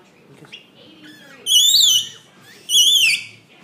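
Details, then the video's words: Pet rainbow lorikeet loudly welcoming its owner home: two drawn-out, shrill whistled screeches, each rising then falling, about a second apart, after softer chatter. "Rainbow Lorikeet 'Lyndsay' giving a Dean welcome home loud"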